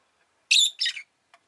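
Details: Rosy-faced lovebird, a pet bird, giving a loud two-part screechy chirp, the second half lower and rougher, then a tiny faint click-like note.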